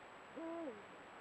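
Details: Trail-camera recording of a Eurasian eagle-owl pair at golden dusk: one short, low, flat nasal note that bends downward at the end, heard against steady background hiss.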